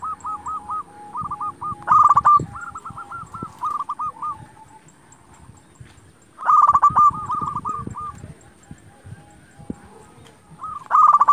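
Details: Local zebra dove song used as a lure to make rivals answer: three loud outbursts of rapid stuttering coo notes spaced about four seconds apart, amid continuous cooing of many other doves.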